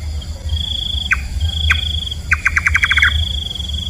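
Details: Nightjar, locally called kaba or kabam, giving two single sharp descending chops, then a quick run of about eight clipped notes. A steady high insect trill runs throughout over a low rumble.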